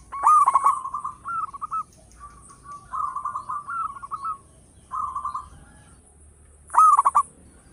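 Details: Zebra dove, a local bird, singing its loud lure song: a sharp opening note, then several bubbly rolling coo phrases separated by short pauses, and a final emphatic trilled burst.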